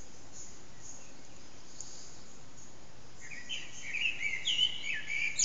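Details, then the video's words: Around 4:30am a Eurasian blackbird sings unseen in an echoing backyard, recorded on an HTC Desire: quiet background for three seconds, then one rich warbled phrase rising into a squeaky high finish. "Blackbird's morning song"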